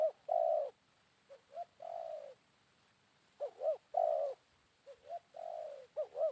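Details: Wild spotted dove answering a decoy bird at midday after morning rain. Repeated low coo phrases alternate softer and louder, each two short rising-falling notes followed by a longer rolling coo, in a quiet setting.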